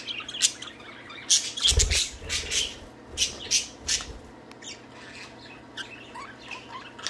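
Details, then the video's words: Budgies playing and singing, giving scratchy chirps and chattering squawks, loud in the first half and then quieter, with a few soft thin notes near the end and a dull thump from movement. "Budgies playing and singing."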